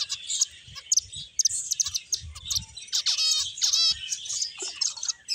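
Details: Finches chattering in a lively group: quick high chirps, then a run of rapidly repeated buzzy trilled notes around the middle, with short sweeping calls toward the end and faint rustling.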